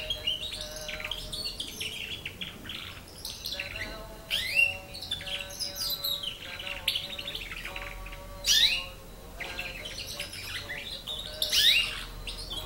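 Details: Nine-month-old domestic canary learning to sing: bursts of bright twittering chirps and quick rising and falling trills, with louder sharp notes around every three to four seconds, over faint steady low tones in the background.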